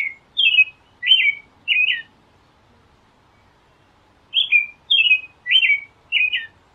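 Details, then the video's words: Song of an American robin: a group of four clear, slurred whistled notes, a pause of over two seconds, then another four- to five-note phrase, each note dropping in pitch at its end, against near silence. "Canto!!! Tordo- Americano"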